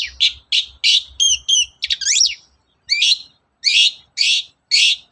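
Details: Morning lure song of a long-tailed shrike, meant to get other shrikes singing: a series of short chirped notes, a couple of clear rising whistles and a quick slurred run, then more evenly spaced chirps.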